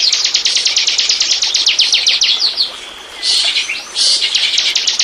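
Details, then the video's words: Bar-winged prinia (ciblek) song played as a lure to draw in wild birds: a fast, steady train of sharp, high chips, a short pause, then a burst of hissy, squeaky notes and renewed chipping. "burung ciblek pancingan burung lepas"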